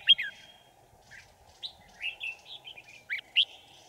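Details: Red-whiskered bulbul used as a decoy in a trap to lure wild birds, recorded 5 January 2018 in Vietnam; bright whistled phrases of rising and falling notes with sharp accented chirps, over a steady low hum.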